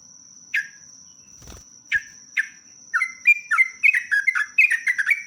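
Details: Sooty-headed bulbul (trucuk) 'ropelan panjang' song. A few spaced, downward-sliding chirps break into a quick, busy sequence of bright notes. There are two soft knocks early on and a constant high-pitched tone in the background.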